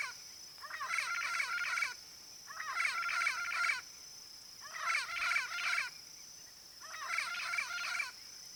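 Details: Yellow-faced parrot, Brazilian endemic of open Cerrado habitat: four bursts of harsh, squawking chatter, each about a second long, repeated roughly every two seconds, with a steady high insect-like hiss in the background.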